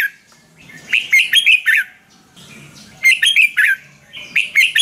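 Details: Red-whiskered bulbul song, played to excite or train caged birds in Thailand: two bursts of bright, bubbly warbled notes with quick rising and falling slurs, each about a second long, separated by short pauses.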